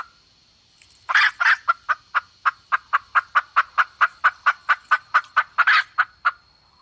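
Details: Red junglefowl (forest hen) calls played as bait to lure wild hens: a run of sharp, rapid clucks repeated about twice per second, with a few louder, harsher notes mixed in and a faint steady whine underneath.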